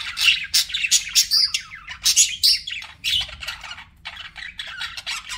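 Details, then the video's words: Budgies chirp and warble loudly in quick repeated scratchy bursts with high sharp squeaks, a steady lively chatter throughout. "BUDGIE SOUNDS"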